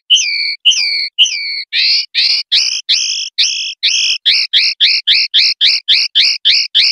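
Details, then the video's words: Common linnet singing the 'pardillo limpio' style for a 2025/2026 silvestrismo CD: a few sliding whistles give way to a long, quickening run of harsh, buzzy two-tone notes, roughly three per second. "NUEVO CD PARDILLO LIMPIO 2025/2026"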